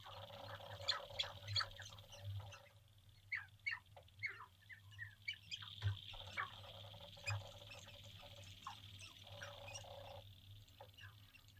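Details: Courting male sharp-tailed grouse on an April 2021 lek in central North Dakota, recorded from a blind before sunrise: scattered clucks, squeaky yelps and longer hollow cooing tones, with quieter gaps and an underlying low drone.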